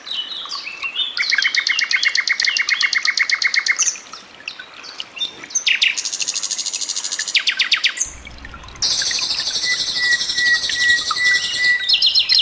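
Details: A common nightingale's fast, varied song, mixed with the sound of trickling water, gives bursts of rapid repeated high notes and a long pure whistle, with a steady splash of running water in the second half.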